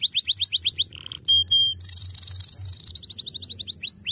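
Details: Canary singing a master song for tutoring other birds: quick tours of repeated downward-sweeping high notes, two short flat whistles, then a dense buzzy rattle and curving upslurred notes, over a faint low hum.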